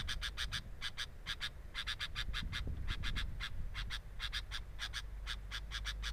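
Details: Sooty-headed bulbul at its nest, recorded by a camera set at the nest. Rapid, raspy, chattering notes come in quick runs of two to four, nearly continuous, over a strong low rumble.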